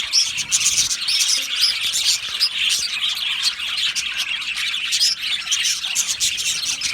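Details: Colony of Australian budgies in an aviary, singing and chirping together: a steady wall of high, scratchy twitters and short chirps from many birds, evenly busy from start to finish.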